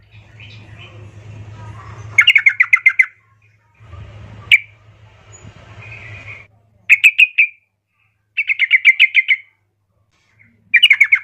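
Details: Female yellow-vented bulbul calling to a male: bursts of rapid, chattering notes near the same pitch, each run of about seven notes lasting under a second and separated by pauses, with a low steady hum under the first half.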